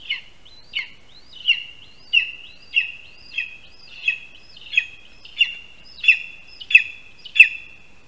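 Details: Lesser spotted eagle calling at its nest in a spruce, Latvia, 1:38 PM on 22 August 2021, as the first prey, a rat, arrives; a clear series of eleven high yelping notes, each with a short rising lead-in, evenly paced.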